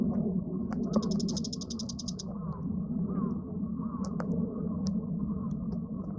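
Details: Bull-headed shrike: one short burst of quick, high, rattling notes lasting about a second and a half, set against a steady loud low hum and a few isolated clicks.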